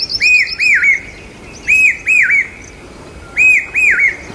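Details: Common hawk-cuckoo near Aurangabad, calling loudly during the monsoon, its call taken as a sign of rain: paired, arched, ringing whistles repeated about every 1.7 seconds, with thin high twittering notes from another bird above.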